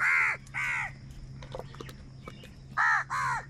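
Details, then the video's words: Crows angrily competing for food give two pairs of short, raspy caws, the pairs separated by about two seconds of quieter background with a low steady hum. "Angry kauwa ki awaaz | Very loud voice of crow sound | Crow bird Fight for Food"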